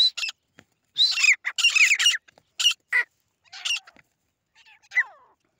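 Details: Grey francolins fighting, a local fighting bird, with harsh high squawking bursts and ringing notes in ragged clusters, separated by short silences, the last note a falling slur.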